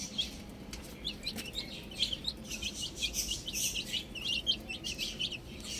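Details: Baby chickens outdoors, a flock of chicks peeping: dense overlapping high, short chirps rising and falling, packed throughout with no gaps, over a low steady background hum.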